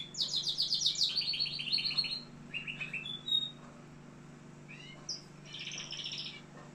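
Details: Canary, Algeria: a loud, rapid, high trill that slides downward into a lower rolling trill, then short chirps, a pause, and a final buzzy pulsed trill at mid-high pitch.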